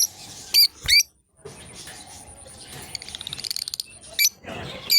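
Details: A pair of lovebirds playing together: a few sharp, high chirps with quick up-and-down inflection, then a fast run of short clicking pulses and more bright chirps, over a faint steady high whine.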